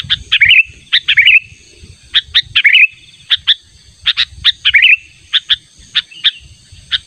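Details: Sooty-headed bulbul, natural calls used to lure a rival bird: a steady series of sharp chirps, often doubled, broken by short warbling twitters, repeated about every half second over a soft low background rumble.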